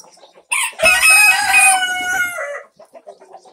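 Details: Barn chicken flock of mixed breeds, May 9, 2024: a rooster gives a loud, strained crow lasting about two seconds, with quiet clucks from hens before and after.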